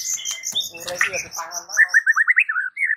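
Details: White-rumped shama, whose sound is said to make shamas across a village answer and sing: a busy, jumbled start gives way to a run of bright, quick rising whistled notes.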